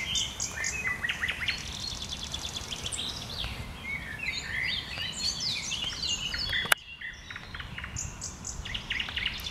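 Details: Common nightingale in bushes, pouring out a long varied song of rapid trills, buzzy notes and whistled fragments, broken by one sharp click before the singing resumes.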